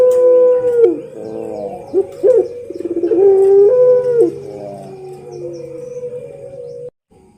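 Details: Pelung-style Barbary dove song recorded as training material: long steady coos with downward slides and short pulsed trills, then a quieter held tone before stopping abruptly near the end.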